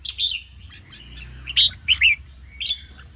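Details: Red-whiskered bulbul contest song for rousing newly caught birds. A few sharp, bright whistled notes in quick pairs are heard over a low humming background.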